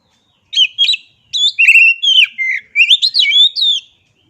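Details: Kacer, or oriental magpie-robin, delivers a brisk series of short whistled and chattering notes, rising and falling slurs in clustered bursts over about three seconds after a brief silence.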